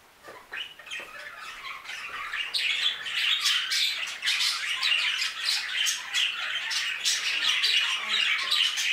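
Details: Caged budgerigars in an aviary build from scattered chirps into a steady, busy chorus of rapid scratchy squawks and warbling chatter, many birds calling at once.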